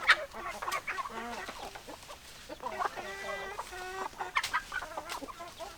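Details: Chickens, hens with roosters, clucking: drawn-out nasal cackles with stacked tones, interrupted by sharp clacks, several birds calling over one another.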